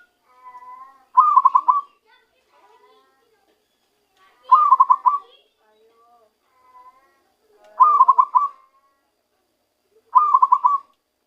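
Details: Recently trapped zebra dove voicing its natural song: four short trilled coo phrases spaced a few seconds apart, with soft, faint notes in the pauses.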